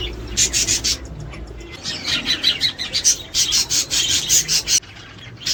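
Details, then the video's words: Budgerigars chattering to encourage breeding and laying: rhythmic pulses of buzzy, scratchy chatter from several birds, a short lull, then renewed bursts that stop abruptly near the end. "تحفيز طيور البادجي الأسترالي علي التزاوج والانتاج والتكاثر والبيض"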